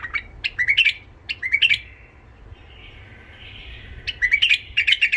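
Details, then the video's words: Rough-voiced tame white-eared bulbul from Iraq sings for training young bulbuls: two loud phrases of bright upward-slurred notes, a soft murmuring warble between them, then a third bright phrase. "تغريد بلبل عراقي ابيض الخدين اليف صوت خشن حنجره ذهبيه لفتح البلبل الوحشي لتلقين صغار البلابل تحفيز"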